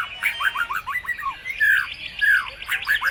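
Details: White-rumped shama singing a lure song packed with other birds' phrases: a quick run of rich falling whistled notes, then longer loud slurred whistles and rising chirps.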